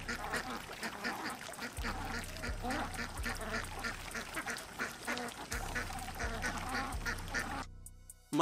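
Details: Ducks quacking in a dense, continuous chorus of harsh, nasal calls over a low steady hum, breaking off into sudden silence before a final loud burst.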